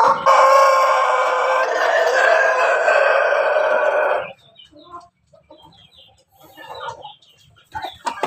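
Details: Pelung and Bangkok cross rooster raised for breeding in Jogja, Indonesia, giving a long, loud, even crow held for about four seconds, followed by quieter clucks and chirps of other fowl in the background.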